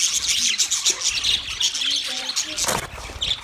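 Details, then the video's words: Budgies, Australian parakeets, keep up dense high chatter, with brief lower warbled notes threaded through the squawking chirps. "Budgies Parakeet Birds Chirping sounds Big sound of Australian Budgies parrot"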